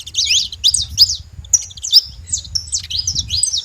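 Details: Free saffron finches in a flock call with high, zigzagging chirps in short bursts, a brief pause midway, then more sliding notes over low background rumble.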